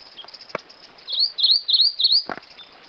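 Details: Rufous-crowned Greenlet singing a single run of four bright, high, swooping notes in quick succession, bracketed by a couple of soft clicks or taps.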